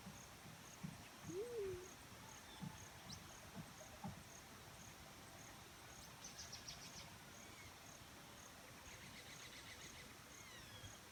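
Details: A lone soft hoot from a black-chinned fruit dove, swelling up then dropping, early on. After it comes a quiet stretch with scattered high insect chirps and rasping bursts later.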